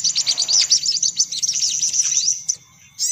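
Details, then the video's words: Brief burst of sunbird lure sound: quick, piercing chips and trills tumble together, fade out, then a final sharp high note returns at the end. "Suara Pikat Burung Kolibri Paling Manjur"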